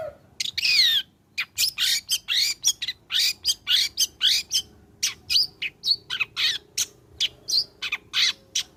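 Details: Long-tailed shrike in full song, played as a lure to get shrikes singing: an opening rising sweep, then rapid scratchy, buzzy notes with some sliding whistles, repeated almost without pause.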